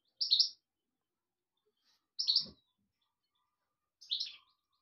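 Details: European goldfinch giving three short, high, liquid chirps spaced about two seconds apart, with silence between them and one faint knock.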